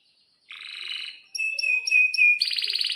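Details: Canary singing excited chirps and long rolls to prompt others to sing: a buzzy roll, then four or five separate clear whistled notes with sharp tops, leading into a fast, dense trill.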